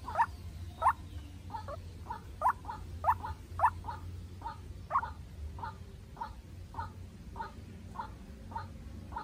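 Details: Young decoy White-breasted Waterhen in an intense calling duel with a wild bird, Vietnam: short, rising, hollow notes repeated roughly every half second in a steady series over a low background rumble.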